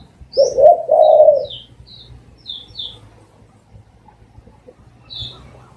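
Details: Spotted dove, a decoy bird for dove trapping. Two drawn-out, mellow coos open the clip, then fade to quiet with scattered thin, high chirps from other birds.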